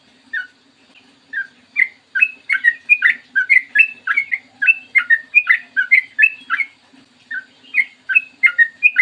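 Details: Clear long morning song of a sooty-headed bulbul, played to make other bulbuls sing: a few isolated chirps, then an unbroken rapid chain of slurred, warbling notes, with a quiet low hum behind.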